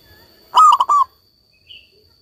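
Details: A single loud cooing phrase from a local zebra dove, four rapid, rolling, throaty notes run together, followed by a faint thin whistle from another bird.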